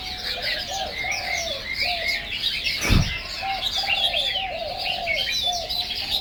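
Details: Chinese hwamei pouring out a continuous, varied high song of quick slurred whistles and chirps; beneath it, soft low cooing notes recur, with a brief thump near the middle.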